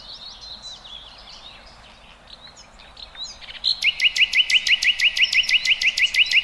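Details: Free-living birds: a soft, chattering chorus of high twittering notes, then a loud, regular series of short upward-slurred notes, about three per second, repeated steadily to the end.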